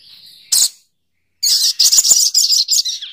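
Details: Little spiderhunter giving one sharp high chip, a brief silence, then a rapid chattering string of shrill, piercing notes that trails off.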